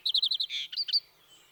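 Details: Common Linnet phrase opening with five quick repeated chirps, then a buzzy note and two short whistled upslurs, all high and crisp, ending abruptly in near silence.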